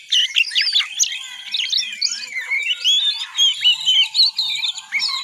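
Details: Clean recording of a young oriental magpie-robin learning its song in the ngiriwik style: fast jumbled twitters, squeaky slurs and short wavering whistles, loud and unbroken, with no other sounds.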